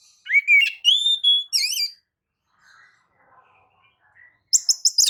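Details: Oriental magpie-robin lure song meant to provoke other birds into singing: a rising whistled phrase, a long level whistle and a wavering note, a near-silent pause, then a rapid burst of high buzzy notes.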